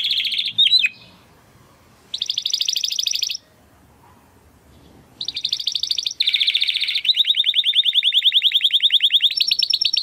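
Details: A Timbrado Español male canary of 2020 breeding delivers training song in bursts: high rattling trills separated by silent gaps, ending in a long evenly pulsed trill of rapid notes.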